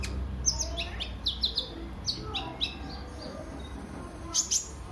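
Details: Sunbird, known locally as kolibri ninja, used as a lure to stir other birds into song: sparse high, thin chirps and short downslurred notes in small bursts over steady low background hum.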